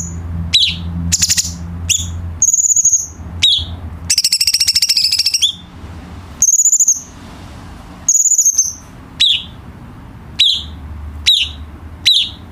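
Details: Cucak cungkok bulbul tutor song for training caged birds: high whistles and falling chirps, a prolonged harsh rattling trill midway, then evenly spaced sweeping chirps, with faint low hum.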